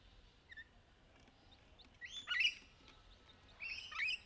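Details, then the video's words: Rainbow lorikeets playing in trees during courtship give a few high, harsh screeching bursts, two louder rasping calls about a second and a half apart after faint thin chirps, over a quiet outdoor background. "Rainbow Lorikeet Sound and Courtship Mating Call"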